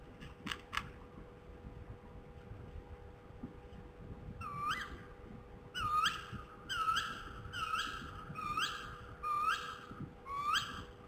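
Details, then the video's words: Tawny Owl in Poland at 22:00 on 23 October 2017 gives a series of sharp, rising, hooked notes, about one a second, over a steady low hum, with a few faint clicks at the start. "Tawny Owl call"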